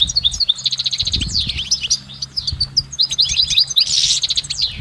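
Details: Out in nature, a goldfinch sings a lively, uninterrupted twitter of fast repeated chips and liquid trills, high-pitched and tumbling, with faint low rumbling underneath.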